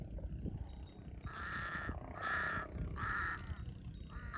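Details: Large-billed crow near water in Cambodia giving harsh, hoarse caws, about four in a row spaced roughly half a second apart, over steady low rumbling background noise.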